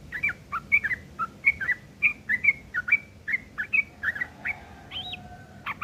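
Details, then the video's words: Coarse chattering of a sooty-headed bulbul, used as tutor material for long-tailed shrikes: ringing, clipped notes with short whistled tails repeated about once a second, ending in a rising whistled note and a faint low tone. "trucuk ngeriwik kasar isian burung CENDET"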